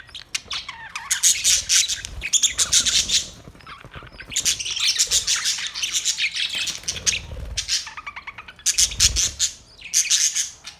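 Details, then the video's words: Australian parrots chirping in dense, overlapping bursts of high, squeaky twitters and short squawks, several bouts of about two seconds separated by brief quieter gaps. "Australian parrot Beautiful birds chirping sounds"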